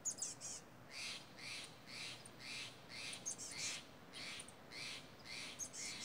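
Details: A pair of noisy crows in misty mountain redwoods, raising a commotion because a hawk sat in the trees: a continuous, rhythmic series of grating caws, roughly two per second, with bright wind-chime pings over them.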